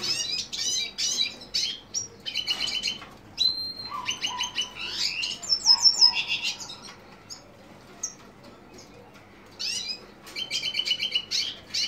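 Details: Lesser goldfinch of the subspecies jouji giving high, thin chirps and twittering notes in quick bursts, some clipped and buzzy, others short whistles, with brief pauses between clusters and a quiet gap near the end.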